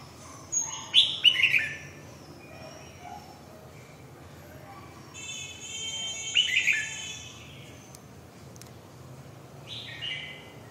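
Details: Red-whiskered bulbul giving three separate bright warbled phrases spaced several seconds apart, the middle one accompanied by a higher, steady buzzy tone, over a quiet background.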